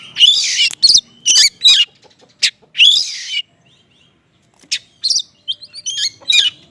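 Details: Konslet-style oriental magpie-robin song built from small-bird material, meant to draw responses from other magpie-robins. It gives loud, scratchy bursts in irregular groups, then a near-silent gap and scattered thin high chirps.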